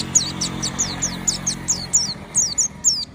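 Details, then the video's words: An oriental white-eye in prolific nonstop song, used to prompt other white-eyes to join in, gives about a dozen thin, high, downslurred notes at a steady, unhurried pace over a steady low background hum. "pleci berbunyi tiada henti DIJAMIN burung pleci lainya pasti ikutan berbunyi GACOR"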